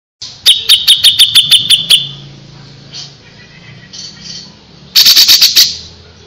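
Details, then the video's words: Grey-cheeked Bulbul singing lively: a fast burst of about nine sharp, high repeated notes over roughly a second and a half, a pause with faint notes, then a second quick chattering burst near the end. "suara burung cucak jenggot // cucak jenggot gacor masteran burung cucak jenggot"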